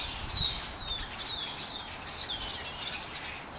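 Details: Several backyard birds chirp at once, keeping it up for hours; overlapping shrill, falling whistles and quick twitters crowd together continuously with little pause.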